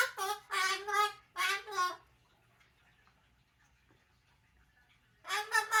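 An umbrella cockatoo gives four hoarse, voiced cough-like bursts in two seconds, then falls quiet before one more cough.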